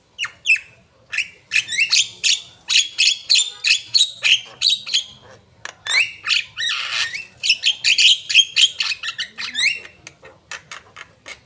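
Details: Javan myna singing energetically, a long, uneven series of loud scratchy squawks and short rising whistles, about three notes a second, breaking into a dense rasping burst midway.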